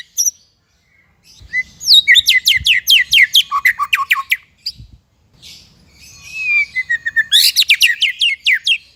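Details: White-rumped shama song used for training songbirds: two fast runs of sharp, steeply falling whistled notes separated by a short gap, with a long drawn-out whistle before the second run.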